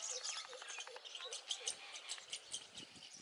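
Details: Rosy starlings feeding on banana, a migratory bird travelling from Europe to India, give rapid grating, squeaky chatter, short harsh notes tumbling over one another at high pitch, with faint low sounds beneath.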